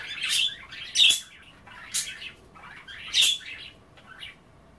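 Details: Budgerigars at bath time, busy nibbling kale and water, chatter in separate bursts: a buzzy warble, then sharp clicks, repeating about every second or two with quieter pauses.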